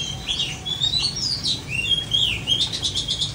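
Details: Long-tailed shrike, known locally as cendet, singing: a varied run of clear whistled notes, sliding up and down and shifting in tone, ending in a burst of quick repeated chirps; faint low background hum.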